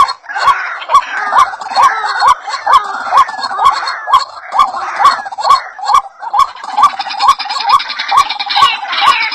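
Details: White-breasted waterhen, called ruak-ruak, in a bird-luring recording: repeated croaking kwak notes at about two per second, fairly regular, with a buzzing, rattling layer joining near the end.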